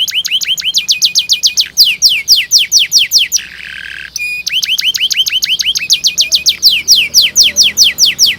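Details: Canary song intended to train young birds to sing: long series of loud downward-sweeping whistles repeated about twice a second, broken midway by a brief low buzzy rattle, then resuming.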